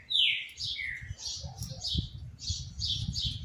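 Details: Double-collared Seedeater kept in a cage and hopping between perches: a sharp falling whistle, a lower whistled note, then repeated blurred high chirps, softer and against a constant low background hum.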